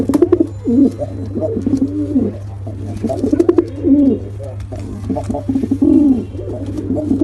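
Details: Pigeons, a male and a female, give a continuous series of deep gurgling coos that rise and fall in short bursts, several overlapping, with a constant low hum underneath.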